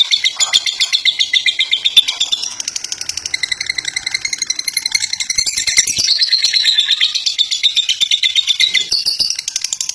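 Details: Fighter lovebird chattering in a long ngekek, harsh rattling pulses about four per second that rise and fall in shrill waves.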